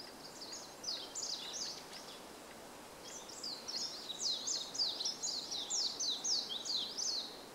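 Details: On 5 April 2014, a warbling white-eye sings from the top of a bamboo grove: a fast, high, jumbled twittering warble in two bursts, the second long and tumbling, over a soft hiss.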